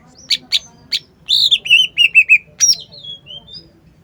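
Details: Lively cucak ijo song with a few high chirps followed by a fast run of clear descending whistles, then thinner high notes trailing off; low background hum.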